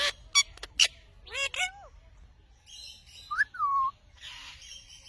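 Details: Indian ringneck parrot mixing sharp clicks and harsh squawks with falling whistled notes, then a clear descending whistle and a soft, breathy rasp.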